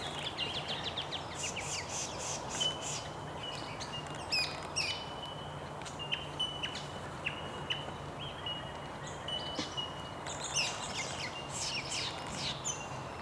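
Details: About a dozen swift parrots 'staging' in early morning before flying off to feed on spotted gum blossom, Werakata State Conservation Area, Pelton, NSW: sharp, high, metallic chirps in quick overlapping bursts over a steady low hum.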